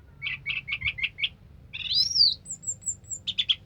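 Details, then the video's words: Orange-headed thrush singing 'sampai teler': six quick evenly spaced chirps, a loud rising and falling slurred warble, a thin high wavering whistle, then three fast clipped notes. "suara kicauan burung anis merah sampai teler"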